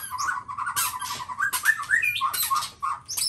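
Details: Black-tailed white-rumped shama of the Nias type delivering a quick series of even, mid-pitched whistled notes, mixed with harsh rasping bursts and a few rising high whistles.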